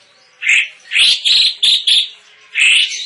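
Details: Cucak cungkok used as a song tutor for contest birds, known for a loud, tightly packed voice; one clear whistled note, then a quick cluster of three or four bright, slurred notes, and another loud whistle to close.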